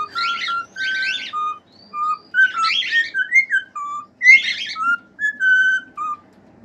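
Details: Cockatiel singing, played to teach and cheer up pet cockatiels: clear whistled notes, some steady and some rising then falling, alternating with scratchy chattering bursts, over a faint background murmur.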